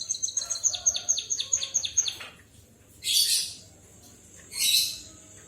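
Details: A white-headed munia sings like a canary: a brisk series of about a dozen high, falling whistled notes, then two separate rough, hissing bursts.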